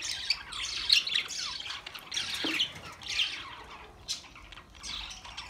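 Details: Budgerigars chattering in a busy flock: overlapping high chirps, squawks and short warbles, fairly faint, with a soft downward swoop near the middle and a brief Hindi remark just before.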